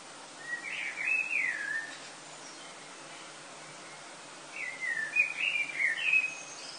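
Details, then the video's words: Before sunrise in early August, common blackbirds sing in Lille, France: a rich, fluty, rising and falling phrase, a pause of about two and a half seconds, then a longer warbling phrase with squeaky high flourishes. "Chant des merles avant le lever du Soleil en été"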